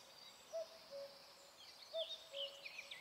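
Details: Common cuckoo singing from high in a tree directly overhead in Alblasserbos woodland, Netherlands, the first of the year: two clear falling 'cuck-oo' calls about 1.5 seconds apart, with thin, busy songs of other birds behind.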